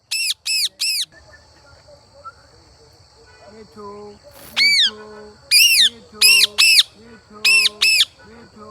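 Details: Indian Ringneck parakeet giving loud, harsh arched screeches: three in quick succession, a quiet gap with a low hum, then further screeches in pairs, with low steady tones sounding underneath.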